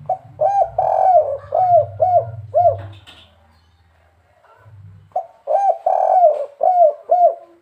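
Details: Spotted dove, known locally as derkuku, giving the 'kuk 3' style call: a phrase of soft, hollow, arched coos, a quiet gap, then the phrase again. A steady low hum runs underneath.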